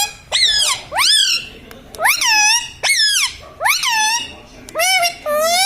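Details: Talking pet Indian ringneck parrot, said to call "Mummy Mummy" and "Mummy mitthu ki roti do", gives five loud, squawky vocalizations about a second apart, each a sharp rising-then-falling sweep with rich overtones.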